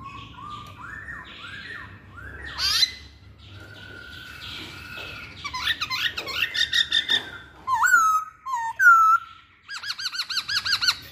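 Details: Masked laughingthrush singing a long varied series: soft rising whistles, a loud rich slurred phrase, ringing clear upslurred notes, and a closing burst of fast wavering trills, over faint low background noise.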